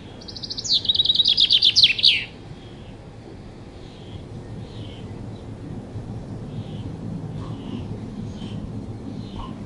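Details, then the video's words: Chaffinch song delivered once, a quick cascade of high repeated notes closing with a flourish, followed by several seconds of faint distant chirps over low background hum. "Bird sounds - Chaffinch"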